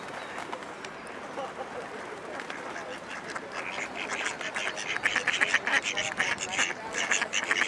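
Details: Female mallard in a park-duck plumbing, recorded while urban birding in Amsterdam, Netherlands, on 3 April 2011. A quiet, rustling start gives way midway to a rapid series of harsh, nasal quacks, roughly two each second, growing louder toward the end.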